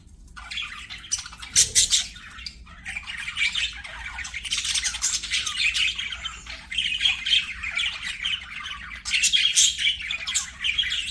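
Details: Budgies singing while playing: a rolling, raspy warble with harsh squawks and high chirps, one loud shrill burst early on, then steady chattering.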